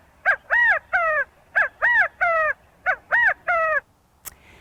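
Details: California Quail, the California state bird, giving its gathering call to bring together the covey of family members: loud three-note 'chi-ca-go' phrases, the middle note highest, repeated three times about every 1.3 seconds, then a short click.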